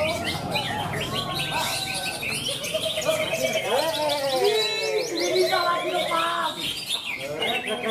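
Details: Greater green leafbirds at a songbird contest in Malinau, North Kalimantan, pour out rapid, varied whistles, chirps and slurred rising and falling notes, overlapping with other singers and background human chatter.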